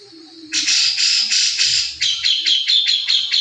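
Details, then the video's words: Grey-cheeked bulbul, recing style: a faint lower tone, then long harsh rasping notes that break into quick repeated buzzy chatters, loud and close. "masteran jenggot recing"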